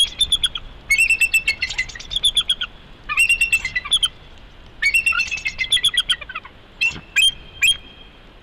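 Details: Morning at the Big Bear bald eagle nest, recorded by a live camera: bursts of high, squeaky chittering notes arrive in runs of about a second, repeating several times, with some sharp thin whistles and constant hiss.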